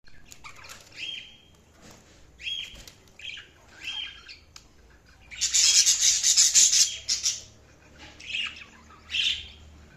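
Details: Budgies chirping while feeding: short high chirps and squawks every second or so, then a loud harsh rasping burst, with faint background hum.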